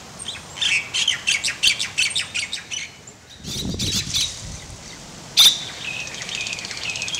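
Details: Laysan albatross (Moli) chicks and adults at Princeville, Kauai, Hawaii, in May 2010, during stretching and feeding: a run of quick, harsh, evenly spaced squawks, then a rustling burst and one sharp squeak, with small birds chirping around.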